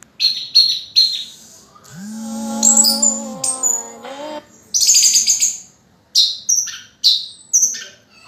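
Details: Orange-headed thrush song meant to prompt other birds to sing: short high whistled and chattering phrases in separate bursts, interrupted midway by a low, steady humming tone lasting about two seconds.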